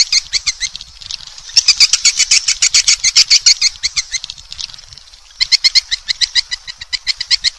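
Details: Swiftlet lure sound: sharp ticking chirps, a smoother chattering stretch in the middle, then a quick regular series of clicks, with faint low rumbling underneath.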